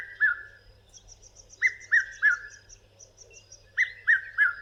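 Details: Red-chested cuckoo in southern Africa giving its loud, whistled three-note 'piet-my-vrou', falling in pitch and repeated every two seconds; faint high chirps from another bird behind.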